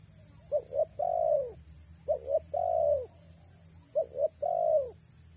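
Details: Female spotted dove calling to lure males: three repeated phrases, each two short quick coos followed by a longer, mellow, slightly falling coo, about every 1.7 seconds, with a steady high hiss and low hum behind.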